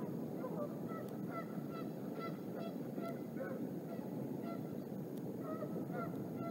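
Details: Female bald eagle arriving at a nest at Decorah carrying a fish in her talons, a male following and landing nearby; a series of short, high chirping notes repeated roughly every half second over steady background hiss.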